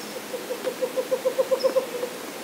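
Western Screech-Owl giving about a dozen short, mellow hoots on one low pitch that speed up like a bouncing ball, over faint background hiss.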